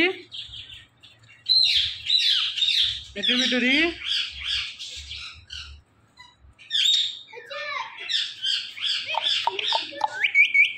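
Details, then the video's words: Pet parrot, five years old, giving a rapid run of harsh, high squawks and chattering notes, some with falling and rising sweeps, in bursts with a short pause midway, faint low thumps beneath. "5 Years Old Parrot Talking"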